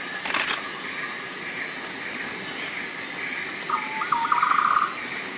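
A Green Broadbill gives one soft, low, bubbling trill that quickens into a rapid rattle near the end, over steady forest hiss and a brief flutter at the start.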